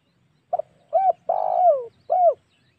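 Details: A spotted dove lure phrase for provoking wild doves: a brief double note, an arched coo, a long throaty coo sliding downward, then a final arched coo, all low and clear.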